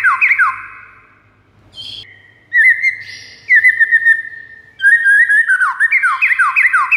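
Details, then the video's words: White-rumped shama song meant to lure a rival shama. Quick falling slurs open it, then a buzzy note, long level whistles, and finally a fast run of repeated descending whistled notes. "PIKAT MURAI BATU LAWAN DENGAN MASTERAN MURAI BATU SATU INI"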